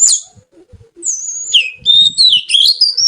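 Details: Lively, melodious song of the oriental magpie-robin (kacer): a sharp opening note, then long gliding whistles that fall and rise again into a rich, wavering warble, over soft low knocking sounds.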